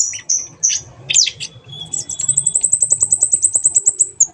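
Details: Sunbird known as kolibri ninja in a recording for training birds to sing: a few high chirps, then a long even very high trill repeated about five times per second, over a low background rumble.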